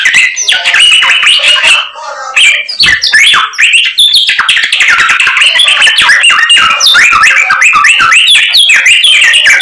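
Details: White-rumped shama singing eagerly, packed with learned fill-in material: fast chattering bursts, clear whistled slurs and twittering notes, with a short pause near the two-second mark.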